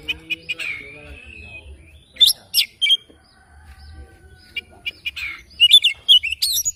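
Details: Oriental magpie-robin singing in the morning: scattered sharp chips and a gliding whistle, a pause, then quick bright bursts of chirps and twittering notes.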